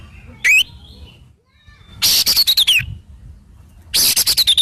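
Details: Oriental magpie-robin song: a rising whistled note, then two loud bursts of harsh, scratchy broadband notes, each ending in a falling whistled slur, separated by short pauses.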